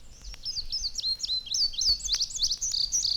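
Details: An Indigo Bunting in spring sings a high, sweet, rhythmic song with its quick slurred notes given in distinct pairs, like "sweet, sweet, where, here, here, see it", over a faint low hum.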